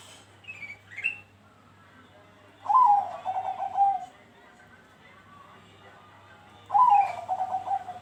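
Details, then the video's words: Bangkok-type zebra dove singing on a lure recording meant to prompt other doves to join in: two rising whistles open the clip, then two separate phrases of stuttering low coos, each starting with a sharp bright note. "Pancingan Burung perkutut Bangkok bikin Rajin ikut Bunyi"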